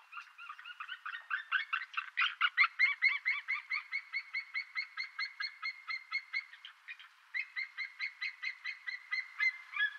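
A White-tailed eagle gives a long series of yelping, gull-like notes, about two per second, with a brief pause before the series resumes.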